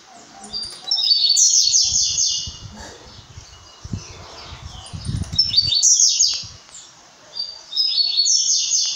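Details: Brown-plumaged blue-black grassquit giving repeated high, buzzy, sputtering song bursts of about a second, three in nine seconds, with low thumping knocks in the background between phrases.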